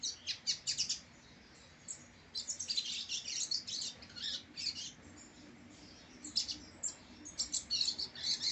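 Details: Brown young male rusty-collared seedeater (coleiro) from a prized captive breeding line gives bursts of quick, high, sparkling twitters separated by short silences, the phrases returning again and again across the recording.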